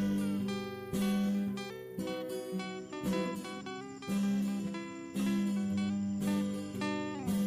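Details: Guitar music plays, with plucked notes and strummed chords ringing in long phrases. No animal sound is heard.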